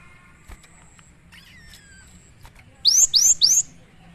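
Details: Cinereous tit, known locally as gelatik batu, singing actively as a training and lure song for other birds. After faint background tones, three loud, high, rapidly repeated whistled notes rise and then fall sharply.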